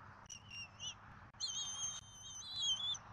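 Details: Bald eagles at a Southwest Florida nest at dinner time on 14 February 2024, an adult pair with their eaglet, caught on a nest camera. Thin whistled squeals come in two bouts, the second longer and wavering, over steady outdoor background noise.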